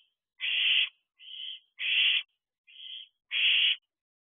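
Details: Night-time barn owl owlets at their nest box: five rasping, hissing screeches in quick succession, loud and softer calls alternating roughly every 0.6 seconds, suggesting more than one owlet calling.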